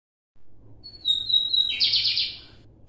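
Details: Lined seedeater song with high, loud notes: a sustained thin whistle near the top of the range, then a dense, buzzy trill of rapid repeated elements, with a faint low hum beneath.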